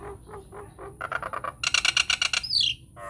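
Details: Harsh lure song of a Nias hill myna, used so other mynas answer: low nasal notes, then a quickening series of loud grating bursts and a falling squeal, about four per second.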